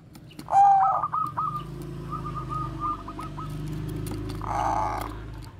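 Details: Bangkok-type zebra dove singing its bekur koar-koar cooing, kept as a lure to get other doves singing: one loud clear note and a rolling burst, then quieter stuttered trills over a steady low hum.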